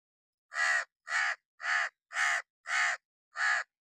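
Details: Hooded crow sitting on wood in summer rain, giving six harsh, hoarse caws spaced about half a second apart, each short and evenly loud, with quiet gaps between.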